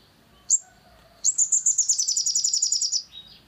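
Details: Long-tailed shrike song meant to stir another bird into singing: one high, thin upward flick, a pause, then a rapid string of bright, buzzy high notes, repeated briskly for nearly two seconds.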